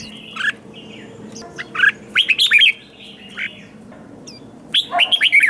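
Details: Red-whiskered bulbul in competitive 'ché' singing, meant to stir wild-caught birds into fired-up song duels: several loud, bright slurred whistled phrases separated by short pauses, the last ending in a quick run of sharp notes.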